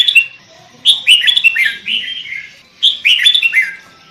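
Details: Sooty-headed bulbul (kutilang) singing as a lure: two bouts of rapid, liquid, warbling whistles that tumble downward in pitch, split by a short pause.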